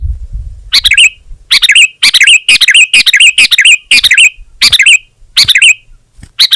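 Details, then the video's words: Sooty-headed bulbul giving a string of rich, bubbling, slightly buzzy phrases, each a little over half a second long, repeated in quick succession in a clean recording. "Suara Burung Kutilang Gacor"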